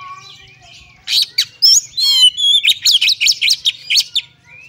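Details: Fighting song of an oriental magpie-robin, fast and varied: rich whistles, slurred upward and downward notes and scratchy chirps tumble in quick succession after a quiet start with a faint whistle.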